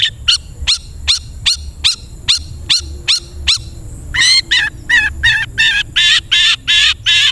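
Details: Long-tailed shrike (cendet) training recording meant to get caged birds singing: sharp harsh notes repeated about every half second, shifting to louder broad rasping notes at a similar pace, over low steady hum.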